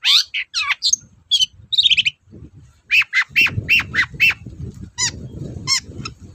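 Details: Long-tailed shrike in lively song, played to spur sluggish shrikes: quick down-slurred whistles and chatters, then a steady row of loud sharp repeated notes over a low rumbling background.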